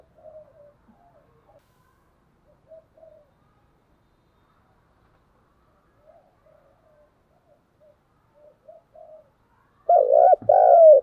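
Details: Spotted dove fighting call: soft scattered coos drift for several seconds, then a loud double coo with a dipping, wavering shape bursts out at the close.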